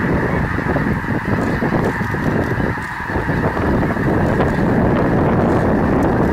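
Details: A dense chorus of snow geese flying in to land at Bosque del Apache National Wildlife Refuge, New Mexico, on 7 December 2017: countless overlapping nasal honks and yelps running together into a continuous roar, several calls a second.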